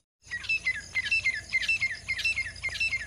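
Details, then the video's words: A female Grey francolin gives shrill, scratchy chirping notes in a fast, uneven string, about three or four per second, with no other sounds. "ग्रे फ्रेंकोलिन आवाज तीतर आवाज फीमेल की आवाज मदी तीतर की आवाज"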